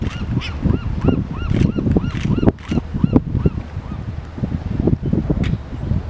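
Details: Gulls and brown pelicans on a gravel bar on the Sausalito waterfront, San Francisco Bay, in winter herring season, waiting to feed from herring nets, giving quick, nasal, rising-and-falling calls over a heavy low rumble of wind or engine.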